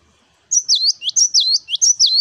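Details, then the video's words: Energetic 'wucit wucit' song of a cinereous tit, used as tutor song: a continuous run of about eight loud, high whistled notes, each falling then rising, paired in a bouncy rhythm. "GELATIK BATU Wucit wucit Gacor"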